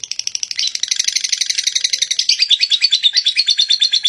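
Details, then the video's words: Long ngekek song from a lovebird: an unbroken stream of rapid, grating high notes, speeding and thickening midway, continuing for the full four seconds. "burung love birt ngekek panjang"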